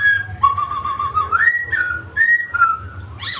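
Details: Singing mutant grey laughingthrush: long, clear whistled notes held steady, sliding up and down between phrases, with a low hum in the background.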